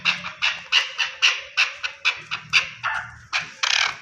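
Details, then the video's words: Pakistani Chukar partridge uttering a string of hoarse, clipped chuck notes that slow slightly and end in a longer, rougher burst. "Chakor | chakor ki awaz"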